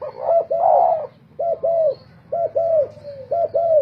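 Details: Spotted dove decoy birds in a cooing competition: a loud, rich coo opens, followed by evenly spaced pairs of soft, arched hollow notes, with a steady low hum underneath.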